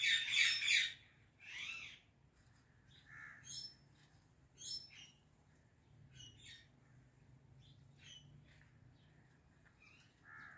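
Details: Two loud, harsh, grating screeches open this stretch from a female Indian ringneck parrot in a fully bloomed apple tree. Fainter scattered chirps and short squawks follow at irregular intervals.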